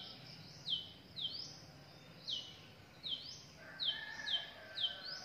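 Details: Wild drongo family of young and parents; high sweeping chirps given in a loose series, quickening toward the end.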